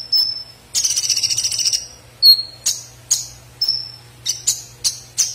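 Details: Sunbird in a song-training recording: high thin whistled notes and buzzy trilled bursts, then a series of sharp downslurred chips roughly every half second, over a faint low hum.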